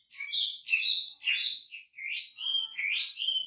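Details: Wambi singing in full voice with a rich repertoire, for use as a training recording for songbirds: clear whistled phrases in short bursts, each rising and falling, with brief pauses between phrases.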